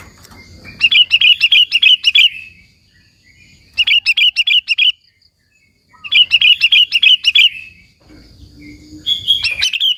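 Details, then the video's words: Energetic singing of a sooty-headed bulbul, meant to excite rival bulbuls and draw them close: three loud bursts of quick, sharp, high chirps repeated in series, each burst lasting about a second, with short quiet gaps and faint low background noise. "Suara Burung KUTILANG GACOR, Burung Kutilang Lain Emosi dan Ikut Gacor Ampuh untuk Suara Panggilan"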